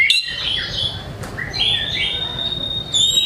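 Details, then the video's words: Singing white-rumped shama, high-energy song meant to prompt quiet birds to sing: high thin whistled phrases, mostly sustained and slightly wavering, with brief sharp chips at start and end. "MURAI GACOR BONGKAR MATERI, PANCINGAN MURAI MALAS BUNYI AGAR GACOR"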